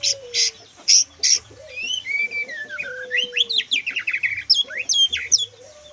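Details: White-rumped shama singing in the lepas trotol style, full of kriwikan: loud high whistled phrases, then a long run of rapid rising and falling twittering notes with sharp high chips, over a steady low sliding tone.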